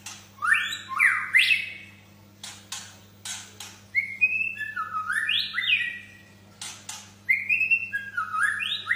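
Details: Energetic white-rumped shama song: bursts of loud, looping whistled phrases with rapid up-and-down slurs, clicks and chattering between bursts, over a low constant hum.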